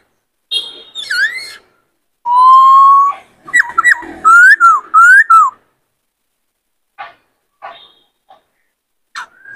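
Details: A caged male White-cheeked laughingthrush in breeding condition sings a many-voiced song. A long, steady, loud whistle follows some high notes, then slurred up-and-down whistles, then scattered faint chips trailing off.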